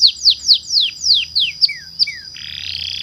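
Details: Atlantic canary delivering a long rolling song used to provoke reluctant canaries into singing: a series of about nine high descending whistled slurs, then a buzzy sustained roll.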